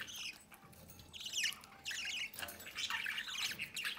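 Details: Budgerigar chicks in the nest as their parents feed them at the entrance: soft, rapid, warbling chatter and rasping notes, fairly continuous and a little muffled.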